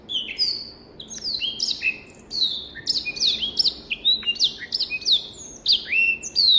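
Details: A caged black-throated canary from a private collection sings a busy, bubbling warble. Repeated downslurred whistles and crisp chirps follow one another rapidly and build in loudness toward the end.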